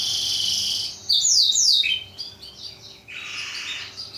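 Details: Black-throated canary used as a model song for training canaries: a brief high buzzy phrase, then fast descending sweeps and a softer rasping trill in the high register.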